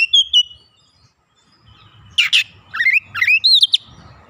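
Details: Untrained oriental magpie-robin (kacer bahan) in full voice, showing off its learned fill phrases: a brief high whistle, a pause, then rapid upslurred and downslurred whistles and a harsh buzzy burst, with low background rumble.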